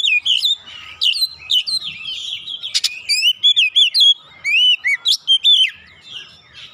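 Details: Oriental magpie-robin in full song as lure audio to push other birds into singing: a long, loud medley of varied whistles, rapid repeated slurred notes and a few sharp clicks, rich and continuous.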